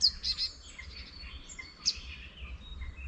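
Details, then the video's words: Spring birds singing in rural countryside by a small wetland, with scattered high, bright chirps and faint twittering over a constant low hum of ambience. "Spring Birds Singing in the Countryside"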